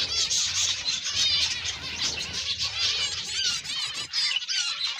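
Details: A crowd of zebra finches kept for breeding calls nonstop with high, nasal chirps and brief arching notes stacked over one another, the busy chorus easing slightly near the end, a low hum beneath.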